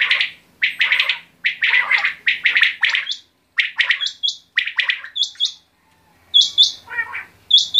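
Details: Quail calling in bursts of harsh, chirpy notes, often doubled or tripled, with several short, thin, high notes in the later half and brief pauses between phrases.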